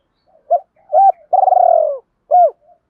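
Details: Spotted dove call meant to excite and lure wild doves: two short rising-falling coos, a long pulsing note sliding downward, then a final short hooked coo.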